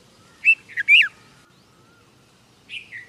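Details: A red-vented bulbul in India gives a quick pair of bubbly, chirping notes, then a single falling chirp after a pause; a faint thin whistle is heard in the background.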